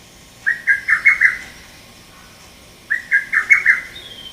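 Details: Sharp call of a male lesser cuckoo, recorded 30 May 2017, rendered "tokkyo kyoka kyoku": two loud phrases of about five rapid, slightly falling whistled notes each, separated by roughly a second and a half of quiet.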